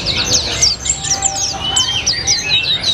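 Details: Continuous "gacor ngalas" white-eye song in the "rasa colibri" style. Shrill chirps slide down steeply, mixed with short thin whistles. The notes pour out quickly and overlap, with faint low rumble beneath.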